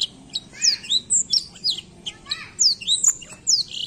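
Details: Black-throat song of high, bright whistled notes, rising and falling slurs, and some buzzy notes, repeated steadily several times a second throughout.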